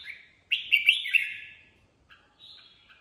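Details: Red-whiskered bulbul singing freely: a loud burst of bright warbled notes around two to four kilohertz lasting a second, followed after a pause by softer short phrases.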